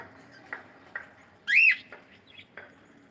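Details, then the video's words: Playing cockatiel gives a single loud arched whistle that rises and falls, set among faint clicks and soft ticking sounds. "Cute Cockatiel singing and sound and playing"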